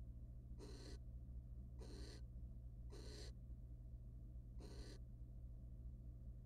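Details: Wild barn owl pair in a research nest box, male mating and preening the female; four short, noisy rasping hisses with gaps of one to two seconds, low steady hum throughout.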